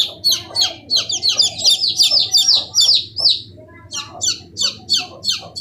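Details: Several 15-day-old chicks giving shrill descending peeps, densely overlapping in a fast chorus, then a short lull before spaced single peeps return, against a faint low hum.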